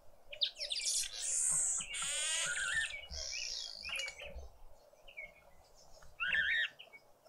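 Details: Noisy green woodhoopoe family breakfasting at a Pretoria garden feeder, South Africa, on a spring Sunday morning; long harsh, rasping chatter for about two seconds, then scattered shorter scratchy notes and a final rough burst.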